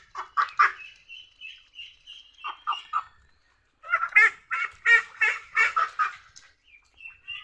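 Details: Ducks calling: a few raspy quacks and thinner drawn-out notes, a brief pause, then a louder burst of harsh, rapid quacks that trails off into scattered softer calls.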